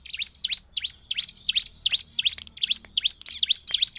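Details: Energetic bar-winged prinia song used to provoke other prinias: continuous, evenly paced string of piercing high chirps, each a quick downward sweep, roughly three per second throughout.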